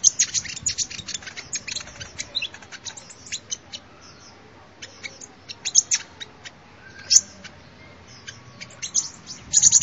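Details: Sunbird song recorded for luring birds: long series of high, thin, sharp chips and twitters, irregular in spacing, with brief quieter gaps and one louder ticking note partway through.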